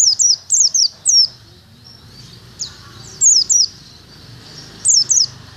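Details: Oriental white-eye, a caged pleci bird being trained at a cemetery, gives quick bursts of high, sharp downslurred tweets in groups of two to four, separated by brief gaps, with soft low noise underneath.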